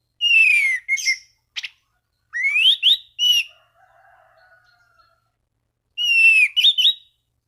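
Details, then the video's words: Orange-banded thrush singing hard to call rivals and trigger other thrushes' song; repeated bursts of loud, slurred whistles rising and falling, a faint low hum in a brief pause. "Anis Cendana Gacor MEMANGGIL LAWAN Pancingan burung anis lain agar berkicau"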